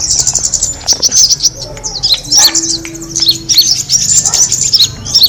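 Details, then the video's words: Kemade bird sound used to attract birds: a dense flock chatter of thin, high chirps and quick down-slurred tweets, overlapping and continuous, with a low steady hum in the background. "the sound of the kemade bird attracting noise"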